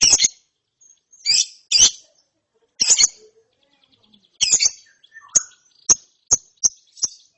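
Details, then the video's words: Lovebird chick after therapy: irregular harsh double chirps, then a run of thin, sharp high tweets, with faint lower notes behind. "ANAKAN LOVEBIRD NGERIWIK SETELAH DITERAPI"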